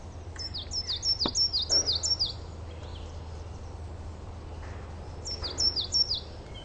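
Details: Garden coal tit song variation: a rapid series of high, paired see-sawing notes, about eight in a row, then roughly three seconds of quiet low background hum before a shorter burst of the same notes.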